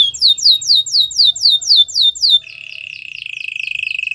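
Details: White canary training song: fast, ringing downward-sweeping notes about four a second, then a switch to a lower, buzzy, rapidly pulsed trill held to the end.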